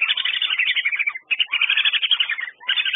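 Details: Whistling ducks giving a rapid stream of thin whistled chirps and twitters, tightly overlapping, broken by two short gaps.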